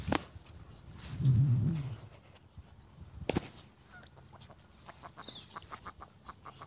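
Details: A male Muscovy drake during breeding behaviour gives one low, wavering, breathy murmur lasting under a second, then soft scattered taps and rustles.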